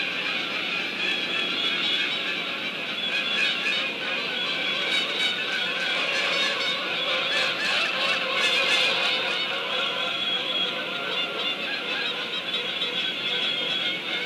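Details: Geese flying by overhead and around, giving many loud overlapping honking and clacking calls in a dense continuous chorus, repeated rapidly throughout.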